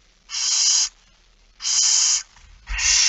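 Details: Begging barn owl at feeding time on 13 September 2019, 06:57. Three drawn-out, steady, hoarse hisses of about half a second each, with a low knock before the last one.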